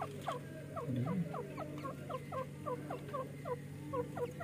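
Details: Two francolin chicks fighting and playing give many short, high, down-slurred peeps, overlapping in a rapid patter, over a steady low hum.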